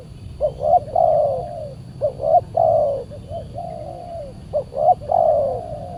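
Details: Aggressive wild spotted dove challenging a decoy at a Saturday trapping; clipped rising hoots lead into long mellow falling coos, the phrase repeated several times with low rumbling beneath.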